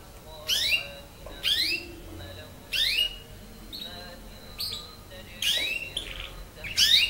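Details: Canary, nine months old, learning to sing, repeats loud downward-sweeping chirps about once a second, six in all, with a few brief twitters in between.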